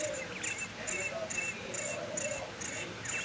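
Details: Male quail calling while held in the hand, with short sharp high bursts repeated about twice a second in a steady series over a low outdoor hum.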